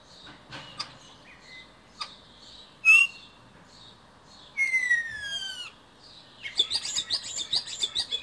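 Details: Male common starling courting at a nest box on a balcony in Berlin: scattered clicks, a pure rising whistle, then a long descending slurred whistle, followed by a dense burst of rattling, crackling notes.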